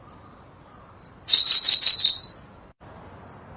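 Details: One high, fast trilled twitter of about a second from a Sunda blue robin, a species endemic to Java and Sumatra, recorded as a tutor song for songbirds, with thin faint notes before and after.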